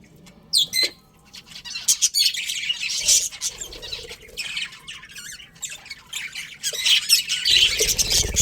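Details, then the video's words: Colourful budgerigars in a breeding colony chirping: bursts of high, scratchy chatter and squeaks, sparse at first, then denser near the end, with a short low thump. "Colourful Budgies Chirping Sounds"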